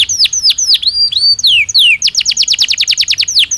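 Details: Canary of the Belgian breed singing: sweeping whistled notes bending down and up, followed by a rapid train of short descending high chips repeated many times per second.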